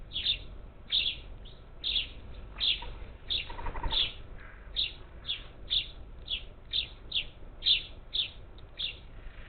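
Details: Parakeets, as many as ten, at a Houston, Texas, Gulf Coast bird feeder cam on 27 July 2021; continuous lively chatter of rasping chirps about twice a second, with a soft muffled rustle near the middle.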